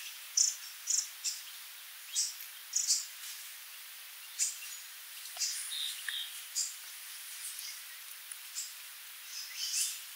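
Sooty babbler giving thin, very high chips and short twitters at irregular intervals, several per second at times, over a steady high insect whine.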